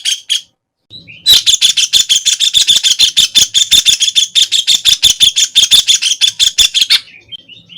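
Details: White-throated kingfisher (Halcyon smyrnensis) pours out a loud, rapid chatter of rasping notes for about six seconds, after a couple of short opening notes. Faint chirps follow at the end.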